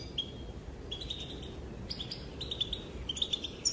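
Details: Calling female European goldfinch, said to draw males into dancing; a lone high chirp, a pause, then short runs of bright twittering notes, fairly soft against a low rumbling background.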